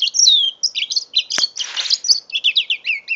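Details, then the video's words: Mule canary aged five months pours out a quick, continuous run of high chirps, slurred whistles and rolling trills, with a couple of sharp clicks in the middle; phone recording from November 2011. "My 5 months old mule canary"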